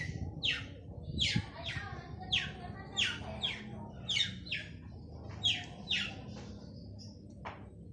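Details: Male long-tailed shrike singing steadily to draw out silent shrikes: a series of clipped, downslurred high notes roughly every half second, ending in a thin whistle and a sharp click, with low background rumble.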